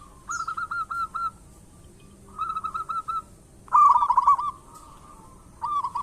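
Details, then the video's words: Perkutut, local zebra dove, used to prompt singing in other doves; three separated phrases of fast rolling coos, the third loudest, with a brief high chirp early on. "Perkutut lokal gacor pancingan perkutut super ampuh agar bunyi cepat gacor"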